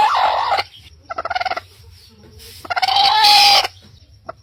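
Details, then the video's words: A rooster crows loudly in the morning: a harsh opening note, a quick stuttering run of short pulses, then a long drawn-out final cry. "Rooster morning sound"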